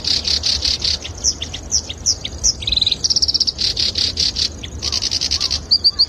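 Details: Black-browed reed warbler singing as a training model for songbirds: harsh repeated churrs alternate with quick downslurred notes and fast rattling trills in a varied, chattering stream, with a faint low hum beneath.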